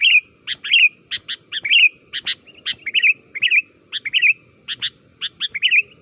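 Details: Lure call of a sooty-headed bulbul, meant to draw wild bulbuls to reply and join in: rapid string of clipped chirps and bubbly two-part warbles, some notes doubled, steady busy rhythm.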